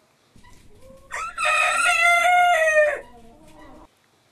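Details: Rooster giving a single long crow: a brief rising note, then a loud, harsh, sustained crow of about two seconds ending in a downward slide, with faint clucks before and after.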